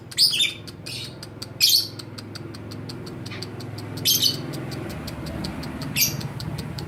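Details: Pastel blue lovebird chick aged two and a half months, trained beside an adult lovebird, fighter style: four short raspy screeching bursts spaced about two seconds apart over steady fast clicking, with low room hum beneath.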